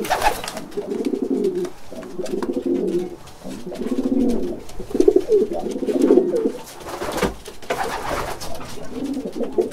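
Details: Caged pigeons cooing constantly in low, throaty, rolling phrases, about one each second, in a small enclosed space with faint background hiss; wing-flap bursts occur in the recording.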